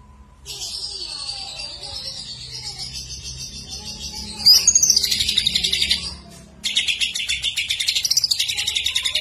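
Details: Greater green leafbird singing in full voice with imitated fills of other birds: a long high, wavering whistled strophe, then a burst of loud rapid chattering notes, a brief pause, and a fast repeated trill.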